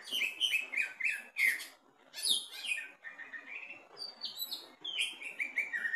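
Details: Caged greater green leafbird tested at the bottom of the cage, singing loud bright phrases: quick descending whistled slurs in runs, harsh high bursts, and a later series of rising and falling whistles.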